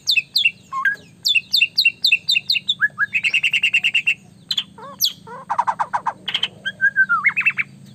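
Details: White-rumped shama said to sing nonstop and provoke rivals, in varied song: clear whistled notes, fast repeated chattering phrases, rattling buzzy bursts and sliding whistles, with a faint low hum in the background.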